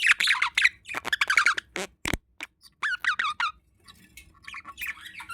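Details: Pet budgerigars, a male feeding a female; busy warbling chatter of short chirps and scratchy notes with brief pauses and soft rustling.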